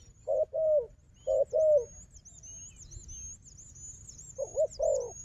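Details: Wild dove described as a strong fighter, with a decoy dove, giving low, paired hollow coos in two bursts separated by a pause; thin high whistles from other birds run faintly above.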